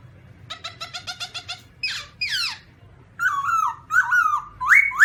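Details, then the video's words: A black-throated laughingthrush gives a rapid chatter of about ten evenly spaced harmonic notes, two harsh descending rasps, then loud whistled phrases falling and rising in pitch, the last one climbing sharply. "Birds Black-throated laughingthrush (Garrulax chinensis): Funny Sounds And Funny Dances"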